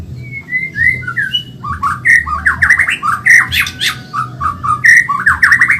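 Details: White-rumped shama of the Medan type, a caged bird singing fast and actively as training material for other caged birds: rapid varied whistled phrases, slurred upward and downward notes near the middle pitch, continuous with a steady low hum behind.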